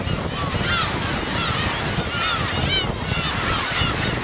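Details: Black-tailed gulls, adults with chicks, at Kurosaki coast, Teuri Island, Hokkaido, 13 June 2021: clear, drawn-out, arching mewing calls with rich overtones, repeated roughly every half second by several birds over constant wave noise.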